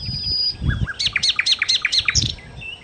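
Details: Nightingale, called sikatan londo, in energetic song: a long high whistle, two low slurred notes, then a fast run of about eight sharp, downward-sweeping high chips with brief low thumps in the background.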